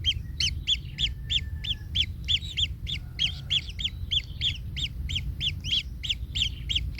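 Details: Kingfisher chick in the nest, trampled by a parent, calls in a fast regular series of bright arched squeaks, about three per second, with soft low rumble beneath.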